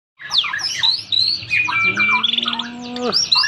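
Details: Champion white-rumped shama set down low beside a street to test its nerve, delivering a rich, fast medley of whistles, slurred notes and chattering trills. A steady low droning tone runs underneath for over a second.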